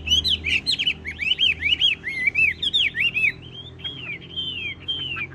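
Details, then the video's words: Tame caged Chinese hwamei singing nonstop, machine-like, even as the cage is shaken: a fast run of clear, slurred whistled phrases sweeping up and down, then slower drawn-out whistles, over a low background hum. "Họa mi thuần đét đẳng cấp hót như máy bộ cực đẹp lắc lồng vẫn hót"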